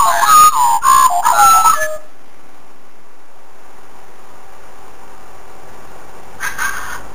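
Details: Australian magpies warbling for food in a home garden in Australia: about two seconds of rich, looping whistled notes with pitch slides, then near silence and a short burst of faint sound near the end.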